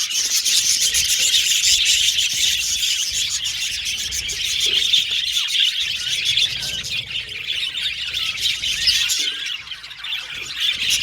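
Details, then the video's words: Budgerigars communicating with each other in a rapid stream of chirps, roughly three or four notes a second, forming a loud, continuous twittering chorus that softens a little near the end. "Budgies Chirping Sound"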